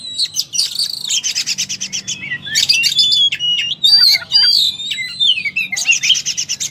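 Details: Oriental magpie-robin singing hard in fighting mode, its repertoire tumbling out: repeated rattling trills, scattered chirps and twittering, clear whistled slides in the middle, and another rattling trill to close.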